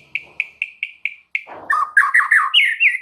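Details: Oriental magpie-robin master song for triggering replies from other magpie-robins: six evenly spaced sharp ticking notes, then a burst of loud varied whistles and chattering slurs.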